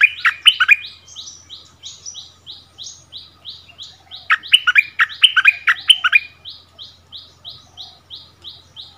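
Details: Decoy bulbul taken back to its old territory, dueling in song with a new resident territory holder: a steady run of short high downslurred notes, broken by loud, fast rich phrases dropping from high to mid pitch.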